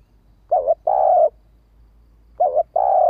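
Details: Urging call of a female spotted dove, used to get males to answer fast. Two paired phrases, a brief quavering coo then a drawn-out even coo, the second pair arriving about two seconds after the first. Background otherwise quiet.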